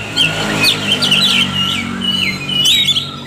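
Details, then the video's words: Lure recording of Oriental magpie-robin song meant to rouse reluctant birds into full song: a run of varied, slurred whistles, some rising and some falling, over a low continuous hum. "SUARA KACER PIKAT |KACER MALAS BUNYI JADI GACOR"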